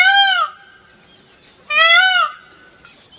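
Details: Indian peafowl calling, a peacock among a peafowl family: two piercing, rich, nasal cries, each brief and slightly upward-bowed, separated by more than a second of near silence with a faint trailing tone.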